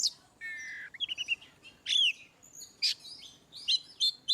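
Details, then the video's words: Oriental magpie-robin singing in the ngeplong style, used as a tutor recording to prompt birds that rarely sing: a buzzy harmonic note, then short chirps and sweeping whistles, with loud bursts spaced irregularly over a quiet background. "Kacer ngeplong"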